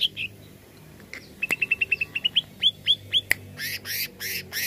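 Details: Greater green leafbird (cucak ijo) singing to excite a kept leafbird. A rapid row of pure clipped whistles turns into sharply up-swept notes, then a click and four loud harsh buzzing bursts.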